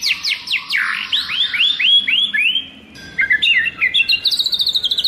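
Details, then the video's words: White-rumped shama in wild forest voice, for training: a fast series of loud, clear downslurred whistles, a brief lull, then a rising train of quick chipping notes climbing higher in pitch. "Luyện choè lửa hót giọng rừng hay"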